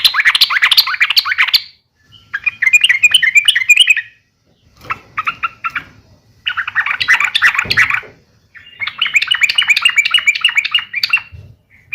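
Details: Yellow-vented bulbul giving a provoking fighting call meant to make rival bulbuls respond: repeated harsh, bubbly chattering bursts of one to three seconds each, loud and rapid, with brief silences between.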